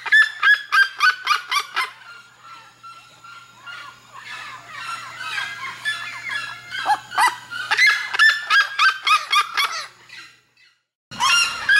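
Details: Song of a red-legged seriema in Mato Grosso: quick, loud, harsh yelps in rhythmic bursts, interrupted by softer chattering notes, then rising again into strident repeated cackles before a brief cut.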